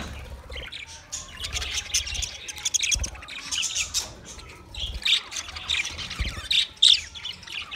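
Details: Budgerigars, twenty pairs kept together, keep up a busy stream of rapid, scratchy warbling and chirps, punctuated by sharp, bright squeaks in the second half and faint low knocking in the background.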